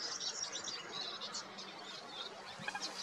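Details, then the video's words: European goldfinch giving its spring song in the Golan Heights, Israel: a fast, tinkling jumble of liquid twitters and buzzy notes, high-pitched and continuous, with faint background chirps. "חוחית - European goldfinch"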